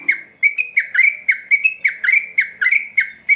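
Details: Sooty-headed bulbul, a male in lively full song: short bubbly whistled phrases, each a quick rising-and-falling warble, repeated roughly every half second in a steady run.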